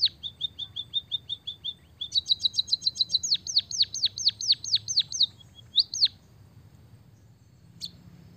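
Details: White-headed munia in full song with canary-style fill-in: a row of short high chips, then a fast series of sharp downward-sweeping whistled notes repeated about five per second, a brief pause, two more notes, then a lone chip.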